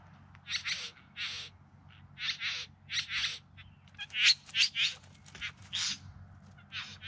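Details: Displaying bowerbird, Yarra Valley near Melbourne, September 2020: scratchy, buzzy paired notes, a pause, then a denser run of rasping bursts and sharp clicks, ending with spaced churrs over a quiet low hum.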